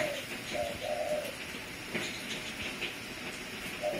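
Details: Spotted dove kept as a decoy bird, giving soft low coos: a short tone, a pause, then a longer drawn-out coo, with another coo near the end over steady hiss and faint clicks.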